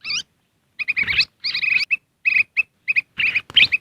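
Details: Lure recording of a Black-crested bulbul for calling wild birds close: one wavering opening note, then clipped chirps and quick chattering bursts separated by short pauses.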